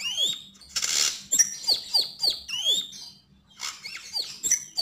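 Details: Javan grey-throated white-eye singing in the lively style called gacor and ngobra: high, sharp chirps and downward-sweeping whistled notes in quick bursts, with brief noisy rasps between phrases.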